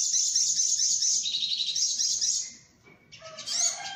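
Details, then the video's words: Sunbird lure call: a continuous high-pitched jangling trill lasting over two seconds that fades, then a burst of sharp squeaky chirps with some lower whistled notes mixed in. "Suara pikat burung sogok ontong"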